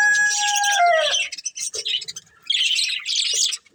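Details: A breeding pair of budgerigars: a drawn-out falling harmonic whistle opens, then bursts of dense, scratchy high chatter separated by short pauses.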